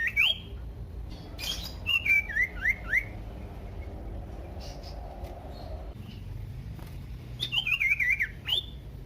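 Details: Common iora song played to provoke other ioras into loud singing: brief bursts of rising and down-slurred whistled notes, separated by quieter gaps with a faint low hum.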